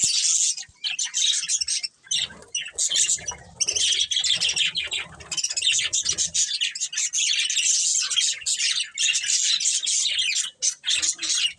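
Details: Many colourful budgerigars keep up a steady flood of high, chattering chirps and buzzy warbles, nearly unbroken throughout, with some low background rumble early on.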